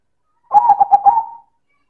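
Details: Zebra dove of silver colour, perkutut, cooing loudly in manggung style: a single phrase of four or five quick throbbing notes ending in a steady held coo, in otherwise silent surroundings.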